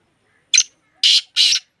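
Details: Black francolin, locally kala teetar, offered for sale: a short sharp note, then two loud, coarse, scratchy bursts, with another beginning as the recording ends, in a quiet setting.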